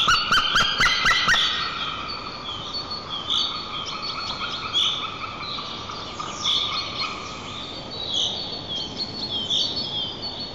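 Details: White-tailed eagle at its nest in Nizhnyaya Kama National Park, Tatarstan, Russia, during a dawn nest change-over on 14 April 2024, filmed by a nest camera; a rapid burst of sharp yelping notes, then thin high chirps of small songbirds.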